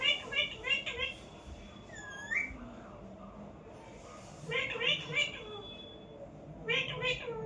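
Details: Pet parrot indoors in a small room giving short bursts of harmonic, speech-like chatter in three clusters, with a single rising whistled note in between and quiet gaps of room noise.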